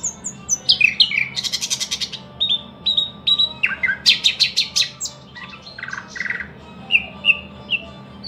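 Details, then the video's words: Thrush nightingale singing a varied phrase: high descending whistles, then dense rapid clicking rattles, buzzy repeated chuck notes and clear piping whistles, separated by brief pauses, over a faint steady low hum. "luscinia luscinia"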